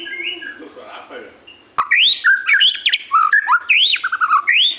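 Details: White-rumped shama giving 'gacor' song: soft, muffled notes at first, a sharp click, then a fast, loud run of varied rising and falling whistles and chattering notes.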